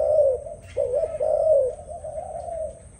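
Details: Short burst of dove song: a strong falling coo, a brief gap, then a long warbling coo that slowly softens and trails off.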